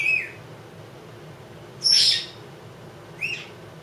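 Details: Two-year-old female Congo African grey parrot at home, prompted by her owner asking how various animals go; a short whistle, then a loud rasping squawk, then a brief chirp, spaced over a quiet room.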